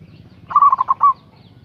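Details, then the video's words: One rapid cooing phrase of a local zebra dove calling out to a rival, mellow stuttered notes closing on a drawn coo, against low rumbling noise. "Suara Perkutut Lokal GACOR Suara Besar Ampuh memanggil LAWAN Emosi Manggung"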